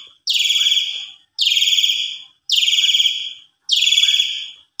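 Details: Javan pied starling singing as a lure, giving four loud grating buzzy bursts at steady intervals of about one and a quarter seconds, each pulsed and slowly fading.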